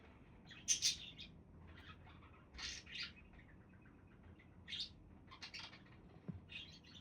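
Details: Budgies calling with raspy, high chirps in short groups, a loud burst at the start, then scattered scratchy notes and a faint low thump.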